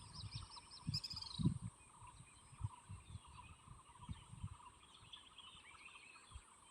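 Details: Wild birds at Phu Hin Rong Kla, Thailand: a quick series of thin, high chirps opens, then fainter scattered twitters, over steady wind and low rumbling handling noise.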